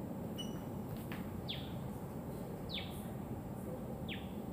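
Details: Osprey in Okinawa, where it is a common resident, giving three or four thin, downslurred whistles spaced over a second apart, over a steady low rumble of wind or distant traffic.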